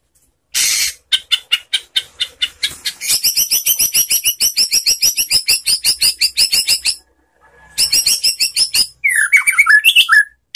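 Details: White-rumped shama singing calmly, meant to draw answering song from other birds: long runs of rapid, evenly pulsed chattering notes with a short pause, ending in looping, warbled whistles.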